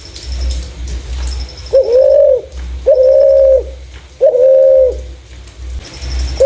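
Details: Clear-voiced spotted dove calls, used to lure other doves: three smooth, steady coos of even pitch, each under a second long and spaced about a second apart, over a soft low hum.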